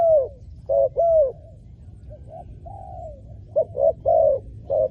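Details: A spotted dove used as a ground lure for wild doves gives mellow low coos: a couple of short notes and a long falling one, then quieter drawn coos, then a fresh burst of short and long coos.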